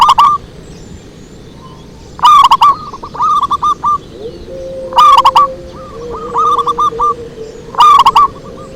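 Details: Zebra dove cooing in a pikat lure recording: a quick rolling burst of coos then runs of softer clipped notes, repeating every few seconds; a faint steady tone rises partway through.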